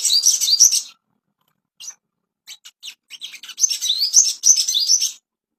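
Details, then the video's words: Ashy tailorbird training song meant to bring on breeding condition: a burst of high, rapid warbling, a pause with scattered sharp chips, then another fast run of rising whistled notes. "PANCINGAN SOGON‼️BIAR CEPAT BIRAHI‼️AMPUH MASTERAN"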